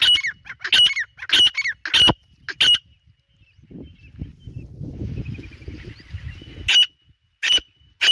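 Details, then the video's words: Grey francolin (dhakni teetar) in the jungle giving a run of sharp, grating notes with whistled tails, repeated quickly. The calls stop, a stretch of low rustling and handling noise follows, then the calls resume. "Dhakni Teetar | Teetar ki awaz | Dhakni Teetar Shikar Voice | teetar Voice in the Jangle"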